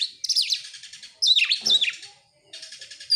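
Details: Oriental magpie-robin song used as a lure to get other birds singing: loud, varied warbled and whistled phrases swooping between high and mid pitch, in bursts separated by short pauses, with faint buzzy trills after the gaps.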